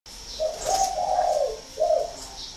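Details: Spotted dove with a loud, clear voice giving a low cooing phrase: a short hoot, a longer wavering drawn-out coo, then a final short coo, over a quiet background.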